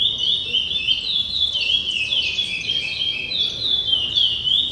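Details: Curió (chestnut-bellied seed finch) pours out a loud, rapid, high-pitched run of warbling whistles, with notes zigzagging up and down without pause.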